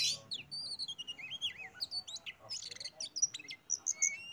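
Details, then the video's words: Oriental magpie-robin (kacer) lure song meant to make other birds sing: clear thin whistles and looping slurred phrases mixed with sharp clicks and chips, delivered in quick irregular bursts. "PANCINGAN BURUNG Kacer biyar ikut bunyi"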